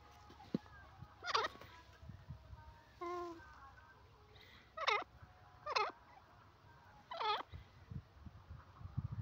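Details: Grey francolin, called teetar, calling: a series of loud, harsh, rising-falling notes repeated about once a second, in short bursts, over faint low background noise.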